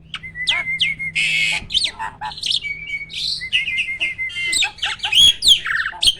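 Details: Caged competition starling in full loud song, mixing noisy rasping bursts, level whistled runs and rapid squeaky, sweeping notes with no pauses.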